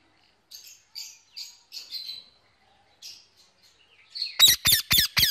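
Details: Pet male Indian ringneck parakeet calling to his mates on an evening: soft chirpy notes scattered over the first seconds, then four loud, harsh, rapid screeches close together at the end.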